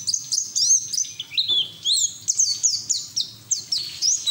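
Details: Lively white-eye song, played to prompt other white-eyes to sing, made of rapid high chirps and short wavering whistles repeated in tight, bouncy phrases about every half second.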